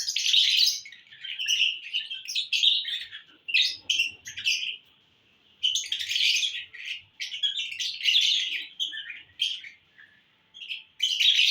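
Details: Lovebirds in a happy mood, recorded June 1, 2022: bursts of shrill, buzzy chirps and squeaky chatter in loud clusters, broken by short quiet gaps, with faint low rustling beneath.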